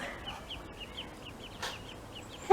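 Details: Young ducklings calling at breakfast time on a fine morning while being greeted. Thin, high peeps with a slight up-down inflection, repeated rapidly about four to five per second and fairly faint, with a soft thump and a sharp noise at the end.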